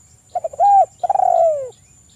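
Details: Spotted dove calling, recorded as a lure to stimulate other doves: three short clipped coos, then a sustained smooth coo, and finally a longer rapidly pulsed coo that slowly falls in pitch, over a thin steady high whine.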